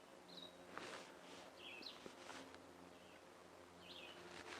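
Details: Red-eyed Vireo singing its quick "here I am, where are you" song at Bamberger Ranch Preserve, Blanco County, Texas: short, slurred whistled phrases roughly one every second, over a low hum and soft rustling.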